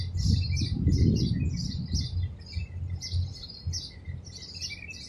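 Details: Madagascar hoopoe feeding chicks inside a palm tree hole where the chicks sit, Abu Dhabi, UAE: rapid, uneven run of high, short chirps, several per second, over a steady thin high tone and low rumbling background.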